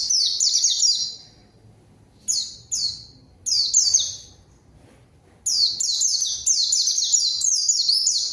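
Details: Zosterops (pleci) song used as a lure to call a rival and get silent birds singing: high, fast bursts of descending twittered notes, each phrase about a second long, separated by short pauses.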